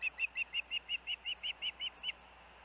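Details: Osprey at a nest where siblings hang out together after strong winds; a quick series of about twelve short whistled chirps, each with a slight downward inflection, evenly repeated and ending abruptly.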